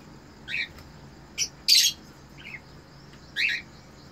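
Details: Mating cockatiel breeder pair in captivity: short separate chirps and squawks, one louder rasping screech in the middle, the calls spaced about a second apart.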